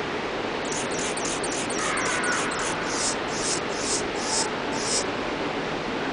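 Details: Adult male Anna's hummingbird in the Desert Dome at a zoo in Omaha, Nebraska, recorded March 3, 2007. It gives about a dozen very high, scratchy buzzes in a rhythmic series over a steady rushing hiss.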